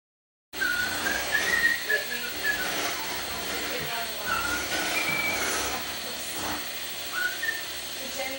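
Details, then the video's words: A pet common starling whistles snatches of "Hail to the Chief," a human tune it learned, in clear rising and falling notes over steady hiss and crackly background noise; a person then says "good boy." "Starling Sings "Hail to the Chief""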